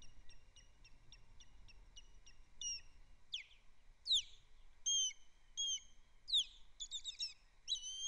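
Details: Osprey alarm calling at Captiva on 24 January 2025, with birds landing and two ospreys chasing: a steady series of short high whistled chirps about once a second, then louder, sharper, sliding and rasping notes, with low background rumble.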